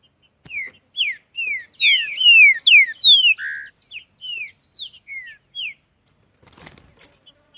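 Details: Green-winged saltator singing vigorously in a song contest: a run of about a dozen loud, clear whistled notes, each sliding downward, delivered over roughly five seconds, followed by a few faint clicks.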